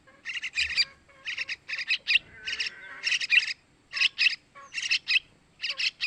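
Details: Sooty-headed bulbul young begging, played to lure males: clustered rasping chirps in threes and fours, with a short drawn-out buzzy note in the middle.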